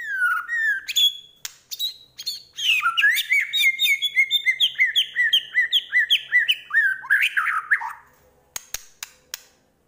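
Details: Vigorous Medan white-rumped shama song full of isian fill-ins: falling whistles open into a long quick series of evenly repeated looping notes, closing with a rising flourish and a few dry clicks.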